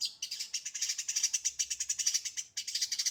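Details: Long-tailed shrike singing fast and tight in 'full isian' style: a dense, buzzy, rapidly pulsing trill runs continuously, broken once by a brief pause before resuming.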